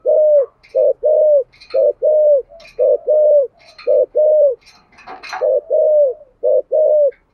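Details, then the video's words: Spotted dove cooing in the 'thổ' voice style, used for luring wild doves: a steady run of low, throaty short-long coo pairs with drawn, slightly falling notes, while faint higher chirps from small birds sound in between. "Tiếng cu gáy giọng thổ giọng hay dùng kích bổi hiệu quả"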